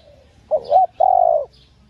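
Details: One cooing phrase from a female spotted dove, used to stir males: a soft opening note, two short hoots and a sustained level coo, with faint distant chirping.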